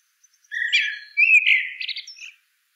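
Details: A single rich blackbird phrase: warbled whistles in two surges, the second brighter, followed by scratchy notes at the end.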